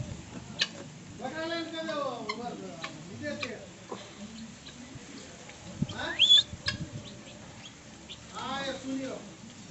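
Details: Guineafowl near a house give harsh, ringing cackles in short rhythmic bursts, with one sharp rising squawk midway. Faint voices may sit underneath.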